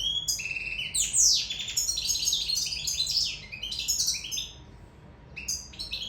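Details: Goldfinch from Sicily singing in love, a fast tumble of sweeping, buzzy and tinkling notes packed into bursts, quieter pause near the end, then renewed chirps; faint background hum.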